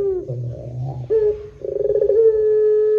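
Barbary dove giving a soft, low coo: a rolling, pulsed phrase that settles into a long, steady, drawn-out note. Nothing else is clearly heard.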